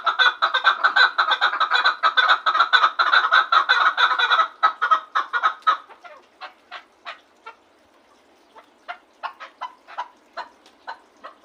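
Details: Fast, loud clucking from a Gharm chukar partridge that slows and thins into spaced single chuk notes, then picks up again with scattered notes toward the end.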